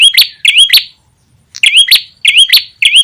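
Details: Ashy tailorbird lure sound used to attract birds: quick sets of three bright, upward-sweeping chirps with hard clicky onsets, a short silence, then more chirp triplets.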